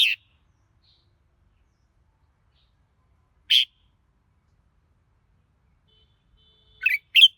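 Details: Red-whiskered bulbul singing: short, sharp chirped notes spaced widely, one at the start, another about three seconds later, then a quick pair near the end, in otherwise silent surroundings.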